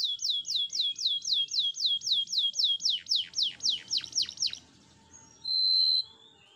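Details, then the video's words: Canary singing for training: a long run of repeated swooping notes, about three per second, growing deeper and sharper, then a pause and a short bright buzzing tone. "أغنية كناري 2023..! أفضل أغاني تدريب الكناري"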